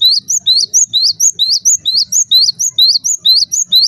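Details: Repeated Java sparrow calls used to stir other Java sparrows into calling; bright, piercing rising chirps come evenly, roughly two each second, with soft low background noise.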